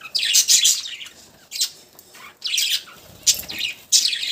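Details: Budgies chirping loudly in high, rapid bursts, each burst a jumble of squeaky notes, with short pauses between.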